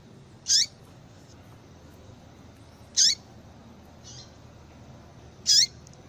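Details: Calls of a female yellow-bellied seedeater, used to stimulate males: three shrill, high chirps, each ending in a dropping tail, repeated about every two and a half seconds, with a faint softer note between them.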